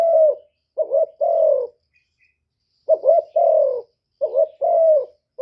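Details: Spotted dove decoy in a cooing match with a wild bird. Low, soft phrases of a quick wavering note and a longer falling coo, repeated three times with short pauses.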